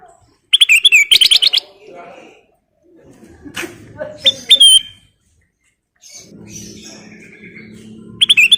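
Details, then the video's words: Ruby-throated bulbul, locally kutilang emas, in lively full-fill song: a fast chattering burst, then a sharp slurred whistle a few seconds later, another chatter at the end, with low humming noise between phrases. "Burung kutilang emas Gacor full isian"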